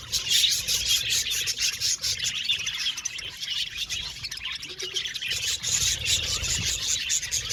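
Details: Lively budgerigar colony in an aviary: fast, overlapping high chirps and warbles in a constant stream, with occasional louder squawky notes and faint low noise beneath.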